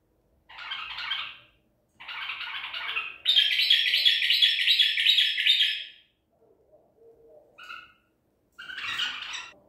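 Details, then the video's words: White-eared bulbul from Medical City, 14 April 2021, delivering Baghdadi-style song: two raspy bursts, then a sustained, rapidly pulsed warbling phrase for about three seconds, followed by a few short clear notes and a final harsh burst. "تغريد بلبل طور بغدادي"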